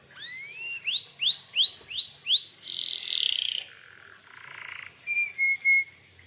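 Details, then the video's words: Canary song meant to goad other canaries into replying: a series of five rising swept whistles, then buzzy rolls and a low rattle, ending with three short high whistled notes. "suara burung kenari gacor ini paling ampuh untuk pancingan kenari agar Nyaut emosi"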